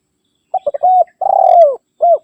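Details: Spotted dove challenge call, used to lure wild birds and prompt caged doves at home to call. Quick triple coo, a sustained coo, a rolling downward-sliding coo, and one last short coo. Nothing else audible.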